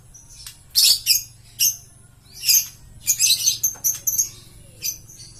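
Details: Green lovebird uttering loud, shrill squawks and chirps in bursts, some doubled or tripled close together, separated by short silences.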